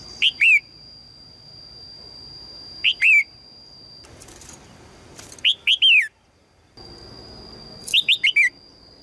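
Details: Female red-whiskered bulbul calling to attract a strong male, giving short bursts of two to four bright, descending whistled chirps roughly every two to three seconds over a steady faint high tone.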